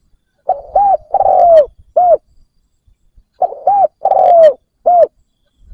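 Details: Decoy spotted dove cooing to attract wild birds; two matching phrases of soft, low hooting coos, a short pair, a longer gliding note, then a final arched coo, with silence between.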